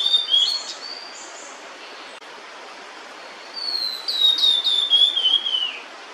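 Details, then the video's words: A food-carrying female blue-and-white flycatcher near her chicks gives a few brief whistles. After a silence comes a long phrase of clear notes that glide steadily downward. "餌を咥えたまま鳴くオオルリ (雌) / Blue-and-White Flycatcher(female) singing while holding food"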